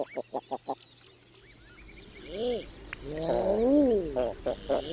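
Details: Common eider: a quick run of four short pulsed notes opens, then drawn-out, arched, crooning coos swell and fade, the longest near the end, over a low steady background hum.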